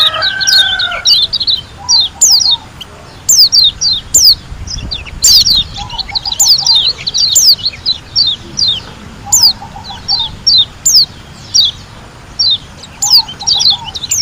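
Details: Wild-style song of a white-eye from Lombok, given in vigorous bursts: short clusters of piercing high whistles and chips repeat every second or so. A soft, low rolling trill returns several times in the background.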